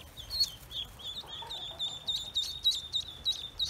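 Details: Loud, close peeping from newly hatched Pekin ducklings on a farm: shrill, high whistled notes tumbling out rapidly and overlapping, suggesting more than one chick calling at once.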